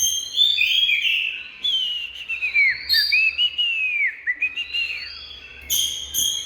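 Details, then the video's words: Oriental magpie-robin giving melodious whistled song, a series of rising and falling slurred notes with short gaps, ending in a burst of harsh high buzzy notes. "Bird Oriental Magpie-Robin| Birdsong"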